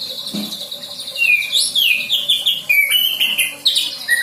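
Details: Young white-rumped shama just past the juvenile stage, practising song with imitated filler material: a rich run of loud whistled notes, some rising and falling, others sharp and high, tumbling quickly one after another.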